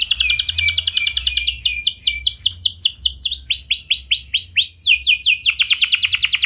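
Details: Canary in full, clear rolling song used as a lure to get other canaries singing: fast chattering trill gives way to a string of swooping slurred notes, then another rapid high trill, faint hum underneath.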